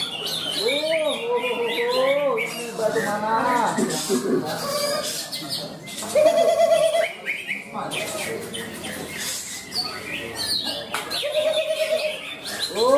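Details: A greater green leafbird competing at a songbird contest in Malinau, North Kalimantan, on 6 February 2022 sings a rich, varied stream of whistled and chattering phrases, with other birds and human voices mixed in.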